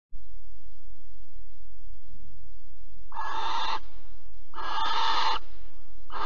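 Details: Barn owl at Alphen on 15 April 2020, during mouse prey delivery and mating. Two harsh, hissing screeches each last under a second, about a second and a half apart, and a third begins at the end, over a low steady hum.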